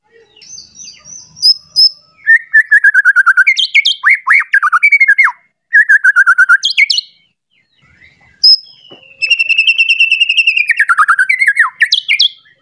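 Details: {'text': 'White-rumped shama (murai batu) singing agitatedly while seeking a rival, a lure song to provoke other shamas: loud varied phrases of rapid repeated whistled notes, falling slurred trills and sharp high chips in bursts with short pauses, clean background.'}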